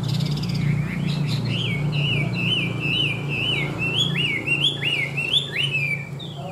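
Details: Tame caged Chinese hwamei repeats clear slurred whistles, each note rising then dropping, delivered in a steady sequence over a constant low-pitched hum.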